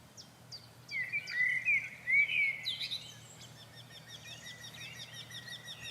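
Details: A migrant Eurasian wryneck sings in spring from a bush, with a second wryneck singing just behind. It gives a run of nasal, ringing notes repeated quickly over about two seconds, with thin high chirps from other small birds around.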